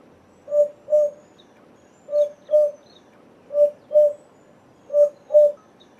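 An African Cuckoo gives low, hollow paired hoots, four doubled 'hoop-hoop' notes about a second and a half apart, over a quiet background.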